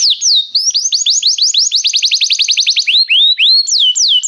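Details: Restless canary in full song: a fast, even roll of high down-slurred notes, about three to four per second, ending with a few slower rising and falling whistled phrases.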